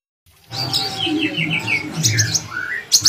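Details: Oriental magpie-robin (kacer) in full song, used as a master recording to train other kacer birds: a quick run of clear whistled notes and sliding descending slurs, some higher sharp accents, over a steady low rumbling background hum.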